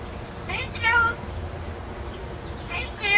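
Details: Pet talking parrot that lives in an indoor free-flight aviary, caged only when brought out, giving two short harmonic, wavering vocal phrases about two seconds apart against a low household hum.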